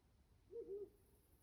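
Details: Owl heard outdoors at night in October at Lake Yamanaka, Japan, giving one low, soft, hollow hoot split into two brief parts, faint above a steady background hiss.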